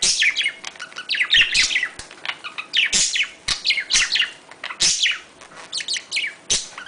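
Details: Domestic budgerigars chattering in a breeding-stimulation recording: quick, high, scratchy twitters and falling whistles in dense overlapping bursts, with occasional sharp clicks.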